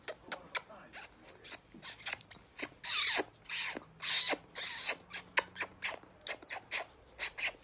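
A grey parrot makes quick, irregular kissing smacks mixed with breathy, hissing bursts, ending with a pair of short rising whistles.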